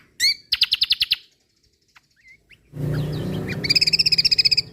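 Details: Lombok kecial kombok white-eye, a training recording for songbirds. It gives a loud chirp, then a quick run of high piercing notes, a short silence, and a long fast rattling trill over a steady low hum.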